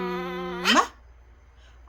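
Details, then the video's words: Talking parrot in a small room repeating the Korean word for "mom": an even, low, buzzy tone that bends abruptly upward into a short raspy peak, then quiet before another utterance begins. ""엄마" 말잘하는앵무"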